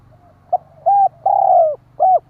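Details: Spotted dove, a champion decoy bird, cooing to lure other doves: one low coo phrase of a short note, a level hoot, a long rolling falling coo and a final clipped hoot, over a faint low hum.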